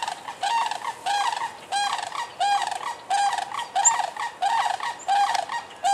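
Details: Sandhill crane calling in Michigan between March and June: loud, rolling, rattled bugling notes with rich harmonics, delivered in rhythmic bursts about every two-thirds of a second throughout, with occasional faint high chirps behind.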